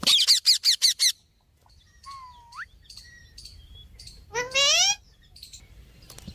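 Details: Nonstop talking parrot opening with six rapid, loud, sharp notes, followed by a quiet pause, a single rising whistle, soft scattered chirps, and one brief rich harmonic squawk near the end.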